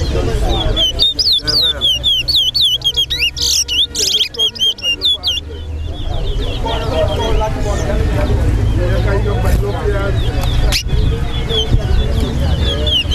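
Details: Chestnut-bellied seed finch (towa towa) song at a bird singing competition at Lusignan bird ground: rapid, high, sweet warbled phrases, strongest in the first six seconds, over a crowd's murmur and talk.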